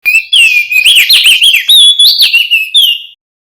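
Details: Male crested white-eye from West Nusa Tenggara, Indonesia, singing loudly and continuously: a clear, high whistled warble that rises and falls in quick, rolling phrases for about three seconds before stopping abruptly.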